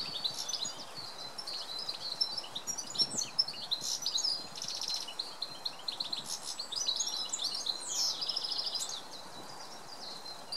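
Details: A male goldfinch sings at dawn in a fast jumble of high chirps, buzzy phrases and brief clear whistles that fade after about nine seconds, over steady outdoor environmental noise.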